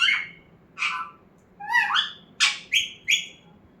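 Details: Talking parrot uttering a quick run of short chirpy, speech-like syllables, some harsh and some whistled, with the last three coming in sharp clipped bursts about a third of a second apart.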